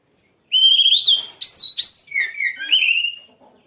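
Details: Oriental magpie-robin in energetic song: a clear rising whistle, two high ringing notes, then a run of warbled, dropping and rising whistled phrases that tails off.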